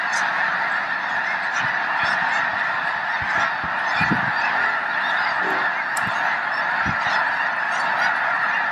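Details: Over a million snow geese massed at Loess Bluffs National Wildlife Refuge on a fine day, 21 February 2020; a dense, unbroken roar of overlapping honks and yelps, with occasional sharper individual calls rising out of the din.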